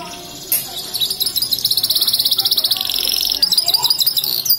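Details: An F1 canary sings nonstop in a blackthroat-style pattern of high, rapid trills and buzzy rolls, shifting between fast repeated notes and sweeping chirps.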